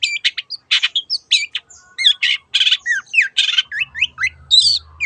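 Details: Long-tailed shrike song used as a lure so other birds join in, teot teot style: varied harsh rasps alternating with rising and falling whistled slurs in a lively continuous stream, a low hum entering near the end.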